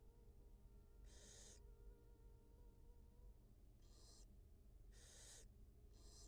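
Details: Wild barn owl at a nest cam, the mother feeding her two newly hatched nestlings; four short, harsh, breathy hisses spaced irregularly over a steady low hum.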